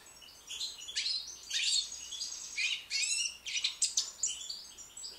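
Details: British goldfinch, young and white, in full song, a dense continuous jumble of high buzzy twitters, rasping trills and tinkling notes.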